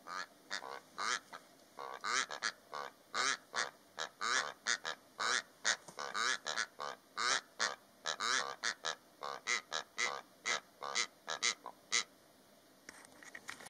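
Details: A pair of Rüppell's korhaans calling in the Namib Desert: harsh, rasping croaks given in quick overlapping bursts, with a steady pulsing rhythm through about thirteen seconds and a quiet background.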